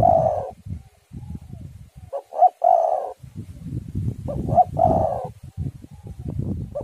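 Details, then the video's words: Lure recording of spotted dove song for getting doves to sing, amid storm wind: repeated phrases of short paired notes leading into long warbling coos, roughly every two and a half seconds, over constant low rumbling. "tekukur super gacor suara angin ribut"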